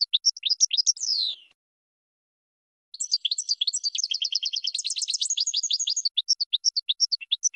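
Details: Goldfinch training song: a twitter that ends in a buzzy downslur, a pause, then a long, rapid, tinkling stream of high notes that thins into spaced chirps. Nothing else is heard.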